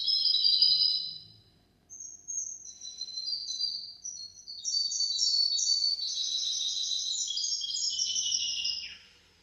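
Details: Goldfinch-canary cross in hafada and daniya song, used to teach goldfinches and canaries: a high trill, a short silence, then a long accelerating series of tinkling notes ending in a falling slur.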